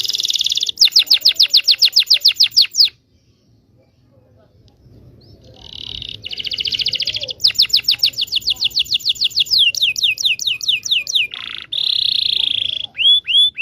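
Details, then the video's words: Canary in full, long rolling song (ngerol panjang), used as a lure to teach young canaries to sing: fast runs of sharp high repeated notes in dense trills, a short silent break, then more rapid rattling trills, ending in loud slurred whistles. "KENARI GACOR NGEROL PANJANG PANCINGAN KENARI PAUD BELAJAR BUNYI"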